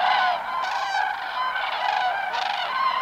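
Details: Migrating cranes in flight, a flock giving dense, overlapping trumpeting calls, loud rolling honks layered continuously with strong harmonics, no pauses between callers.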